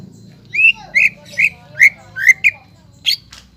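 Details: Greater green leafbird in strong song, meant to prompt untrained birds to sing: about six rich whistled notes spaced under half a second apart, rising then falling, ending with a brief sharp high note, over low hum.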